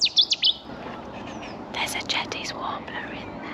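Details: At RSPB Otmoor reserve, Oxfordshire, early morning just after sunrise, an unseen Cetti's Warbler gives its explosive, unmistakable, very loud call, a sudden burst of high notes in quick succession; soft voices and rustling follow.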